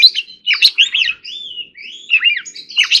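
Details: Oriental magpie-robin in song training, delivering forest-voice style song: a continuous warble of sweeping whistles and quick slurred notes, rising and falling without a break.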